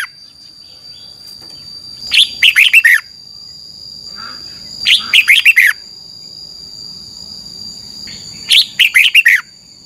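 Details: Caged Red-whiskered bulbul in Thailand giving double-style training song: three short bursts of five or six chirpy, tumbling notes, roughly three seconds apart, with a constant thin high whine behind them.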